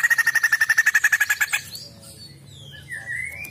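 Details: Female white-crested laughingthrush in full voice, giving a brisk string of clipped, evenly spaced chatter notes for about a second and a half. Faint, thin, rising whistles follow in a quieter background.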